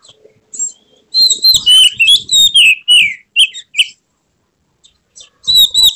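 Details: White-rumped shama in emotional display, tail fanned, pouring out loud whistled phrases with downward slurs and sharp chips, falling silent briefly before another burst starts.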